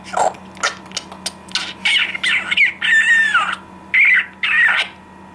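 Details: Cheerful talking parrot giving a string of harsh, raspy squawks, some short and clipped, others drawn out with a buzzy falling tone, about a dozen bursts in five seconds over a faint steady hum.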